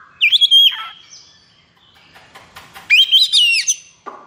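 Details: Oriental magpie-robin, high breeding condition, with a 'konslet' kacer song: two loud phrases of quick whistled notes and downward slurs, separated by a quiet stretch, with a short low note at the end.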